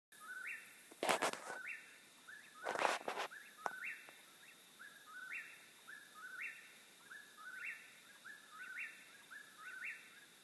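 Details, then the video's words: Eastern whip-poor-will calling: a rhythmic whistled phrase that rises sharply at the end, repeated about once a second throughout, with two loud broadband rustles near the start over a steady high hiss. "Wiper Will Call"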